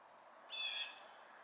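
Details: A single harsh, nasal call from a fledgling blue jay, about half a second long with strong harmonics, rising slightly at the onset, then fading into quiet background hiss.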